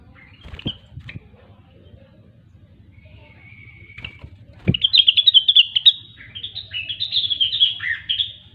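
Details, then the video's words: Grey-cheeked bulbul, locally rengganis or cucak wilis, singing gacor to stimulate quiet birds. A few sharp clicks and thin notes, then a loud fast tumbling phrase of high warbled whistles rising and dipping for about four seconds. "Rengganis/Cucak Wilis Gacor"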